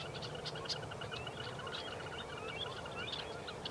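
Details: A small flock of red-necked phalaropes on spring migration, spinning on a slough in Saskatoon to feed, on a hazy, wildfire-smoky May 21, 2023, give scattered short, sharp high chips, several every second from more than one bird, over steady wind or distant traffic rumble.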